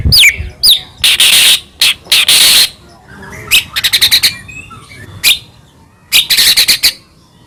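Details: Medan white-rumped shama singing to provoke other shamas: harsh, noisy rasping bursts alternating with rapid ticking trills and a few thin whistles, separated by short quiet gaps.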